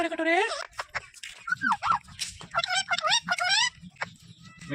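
A ring-necked parakeet chatters a greeting in high, squeaky, speech-like phrases with rising and falling inflections, several quick bursts in a row, plus a faint low hum.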